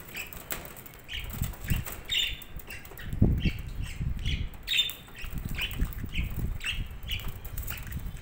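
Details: Budgerigar colony chatter: many short high chirps roughly twice a second over low rustling and thumping from movement in the cage.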